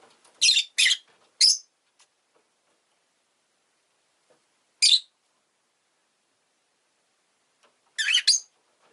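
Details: Pet rosy-faced lovebird indoors giving loud, harsh, broadband chirps: a quick burst of three, then a lone chirp near five seconds and a final doubled chirp, with silence between.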